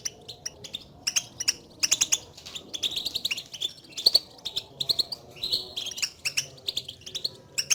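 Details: Contact calls of European goldfinches, which call to each other and signal presence, played to stir a lone caged goldfinch into singing: steady stream of sharp high twitters and tinkling chirps.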